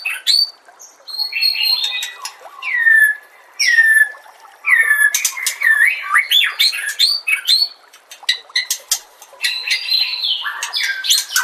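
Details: White-rumped shama master song: jerky mix of harsh squawks, clicks and slurred downward whistles in irregular bursts separated by short silences.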